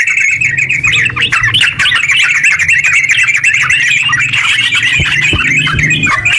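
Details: Terucuk (yellow-vented bulbul) singing long and vigorously in ngeropel style, meant to make silent bulbuls start singing. Rapid overlapping twittered phrases, about four notes a second, run unbroken, with a few sharp clicks and a low hum.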